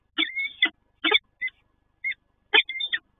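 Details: Peregrine falcon at a nest site at PGE Toruń in Poland, in the first moments with a newly hatched chick: harsh, broad, grating calls in short bursts. Some carry a thin whistled tone. They come in irregular groups of one to three, separated by silence.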